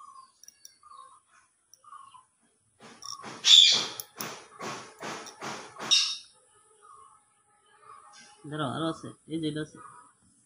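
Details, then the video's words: Pet Indian ringneck parrot, a talking bird: a quiet, scattered chirp, then a burst of harsh, rhythmic squawks repeated roughly twice a second, and after a pause a lower, grating series of calls. "indian ringneck parrot / talking parrot nature sound"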